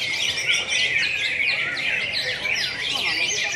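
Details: At a national singing contest in Pontianak, Indonesia, in April 2016, greater green leafbirds pour out rapid, high-pitched, swooping whistles and trills, many birds overlapping in one continuous, shimmering chorus.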